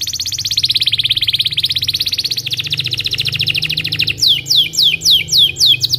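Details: Belgian canary singing in the morning, used as a lure to teach young canaries; a long fast trill of rapid repeated notes, then a slower series of clear downslurred whistles, with a low hum beneath.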